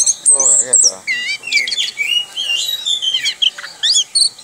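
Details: Kept orange-headed thrush in ngerol style, its rolling nonstop song opening with a short harsh buzzy rasp, then tumbling into dense high whistled phrases and quick chirps.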